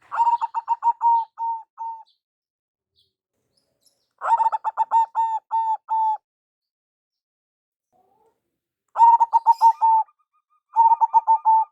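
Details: A local zebra dove, big-voiced and used for luring, repeats its phrase four times: each a fast burst of clipped notes that slows into several longer, steady coos, separated by pauses of a few seconds.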